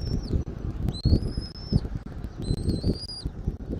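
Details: High, level to slightly rising whistles from an eagle at its nest in Southwest Florida, 13 January 2024, 14:17; two long notes near a second apart plus fragments, amid steady low wind buffeting.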